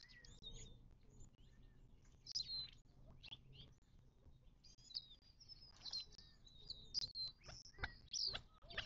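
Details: Desert birds at a Mojave Desert watering hole in southern California, 19 March 2024: scattered high, sharp chirps and thin whistles, some downslurred, over a steady low hum.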